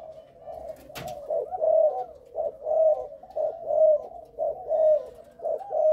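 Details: Caged Malaysian-line Spotted Dove sire being tested, its coo in the stuttering style with three opening notes: low, soft hooted phrases repeated about once a second, with one sharp click near the start.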